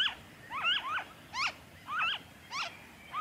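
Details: A noisy friarbird, recorded in Victoria, Australia, February 2023, utters short, gravelly, bending notes in a quick, uneven rhythm, some doubled, over a calm, quiet background.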